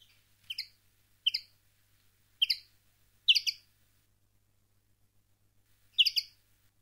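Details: Common linnet, wild-style (campero) song used for tutoring young linnets: short bright twittering bursts of chirpy notes, five clusters spaced irregularly about a second apart, clean background with a faint low hum.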